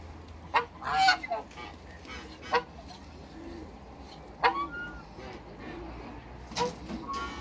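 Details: African geese, a pair in a backyard with other waterbirds, sounding sharp, abrupt honks spaced one to two seconds apart, a few louder than the rest, with faint calls of other fowl in the background.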